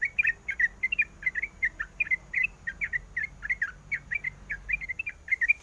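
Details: Female sooty-headed bulbul in breeding condition, calling toward the male: evenly spaced bursts of short, liquid chirps, each a quick up-down flick, repeated about three times per second.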